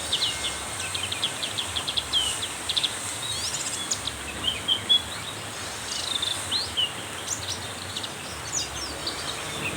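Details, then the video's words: Black-capped white-eye pouring out dense, excited song in heavy rain: nearly nonstop high, thin chirps and trills, some in quick bursts, over loud steady rainfall. "hujan deras membuat pleci black capped tambah gacor konslet"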